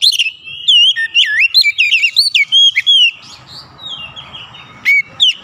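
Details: Oriental magpie-robin singing in challenge to a rival: a rapid run of looping, slurred whistles, then a quieter stretch with faint background rustle before a few more sharp notes at the end.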